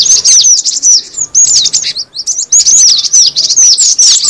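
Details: Cinereous tit lure sound: a rapid stream of sharp, thin, descending chirps in short clusters, separated by a couple of quick pauses.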